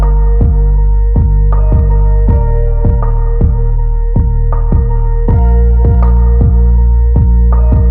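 Instrumental music with plucked, ringing notes that fall quickly in pitch, repeated about every half second over a steady harmonic drone; no animal voice is heard.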